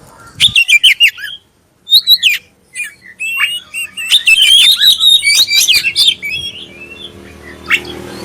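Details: Oriental magpie-robin with black breast giving a clear lure song to spur other magpie-robins; quick repeated chirps in short clusters, then a longer run of rich rising and falling whistled notes.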